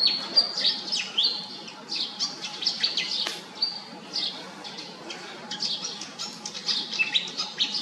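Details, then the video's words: Malaysian pied fantail giving quick, high chirps and squeaky notes, tumbling and jumbled, with a faint steady hum running beneath. "นกอีแพรดแถบอกดำ (Pied fantail)"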